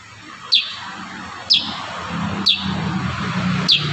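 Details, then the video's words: A kurincang in tight, rapid-fire song gives sharp, high, downslurred whistles, one about every second, over a steady low hiss and hum. "burung kurincang tembakan rapat"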